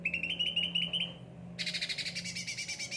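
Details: Caged cucak ranting: a quick high trill of repeated notes, a short pause, then a loud broad buzzy rattle of pulsed notes, over a low steady hum.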